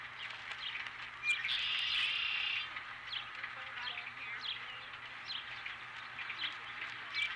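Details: At a ranch nest on 12 April 2017, an osprey with a fish gives one burst of high, rasping chirps lasting about a second, followed by faint intermittent chirps and a constant low hum.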